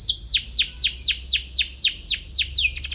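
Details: Canary singing to provoke a rival, a recording meant to teach young canaries their song. Steep falling whistled sweeps repeat about four times a second, each dropping sharply, with a brief rapid trill closing.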